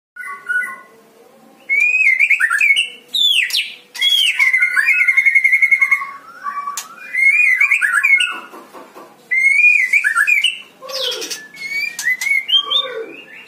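Oriental magpie-robin giving loud, varied whistled phrases, sweet slurred notes mixed with quick chattering trills, in rapid bursts with short pauses.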